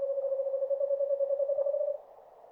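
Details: Forest-dwelling eastern screech owl producing a smooth, unwavering low trill lasting about two seconds before fading into quiet background.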